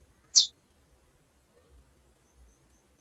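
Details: A single short, high, sharp chip from a calling female chestnut-bellied seed finch, then quiet.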